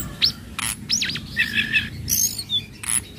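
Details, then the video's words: Flowerpecker (tledekan laut), a spotted bird whose calls serve as a lure for training untrained birds, giving sharp high chips, a looping whistled note and a short buzzy trill over steady background hiss. "Pancingan Bunyi Tledekan Laut trotol Cocok Untuk tledekan Bahan"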